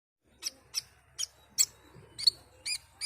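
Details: Asian pied starling singing vigorously: a slow series of seven short, harsh, broadband chips spaced about a third of a second apart, with a faint low hum underneath.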